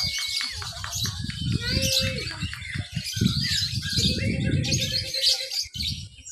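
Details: Lovebird competing in a class B mixed singing practice contest in Papua, Indonesia, 31 October 2021, chattering in 'ngekek' style while crawling along its cage. Fast shrill twittering fills the upper range over low rumbling crowd noise and a few clear whistled notes.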